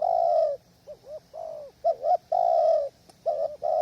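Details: Spotted dove at a lure hide on a windy day, wild doves far off: clear, loud cooing with long hollow notes alternating with short clipped and rising-falling coos, steady rhythm, otherwise quiet.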